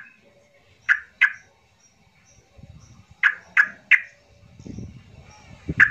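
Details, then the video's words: Yellow-vented bulbul in an emotional calling bout used as a lure for silent bulbuls: pairs and triplets of sharp, punchy chirps with low rumbling background noise between them. "Jangan Heran jika trucukmu yg Diam Langsung ikut Gacor Buka suara dg pancingan trucukan emosi ini"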